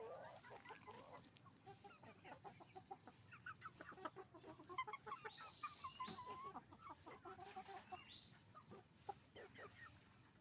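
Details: Roosters and hens making noise at a chicken farm: a crowded chorus of short, rapid clucks and cackles from many birds at once, over a steady background rumble.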